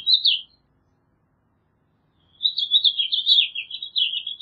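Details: House finch gives a quick high twittered note, falls silent for two seconds, then delivers a long rambling warble of slurred, up-and-down chirps. No other sounds are heard.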